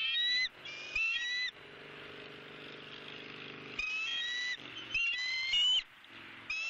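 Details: From a bald eagle nest camera in Southwest Florida on 28 January 2017, during an opossum feeding of a month-old eaglet. Clear, piercing whistled notes come in irregular bursts over a low, steady hum.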